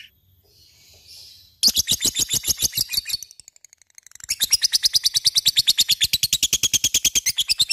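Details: Caged lovebird in its chattering 'ngekek' song style: a long train of rapid, evenly spaced harsh chirps, about three per second, pausing briefly then resuming louder.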